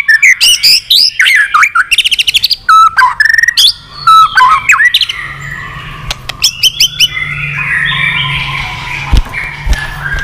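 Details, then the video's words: White-rumped shama, an old wild-caught bird singing in contest with tail wagging, delivers fast rattling bursts and whistled slurs, then fades into hissy background noise. "chòe lửa già rừng giọng chất. kích chòe lửa sổ nhiều giọng. chòe lửa căng lửa tạch đập đuôi liên tục"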